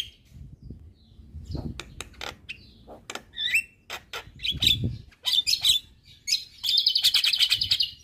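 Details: Asian pied starling singing hard to provoke neighbouring starlings: harsh chattering notes, squeaky whistles and buzzy phrases in irregular bursts, ending in a rapid rattling chatter, with low background rumble.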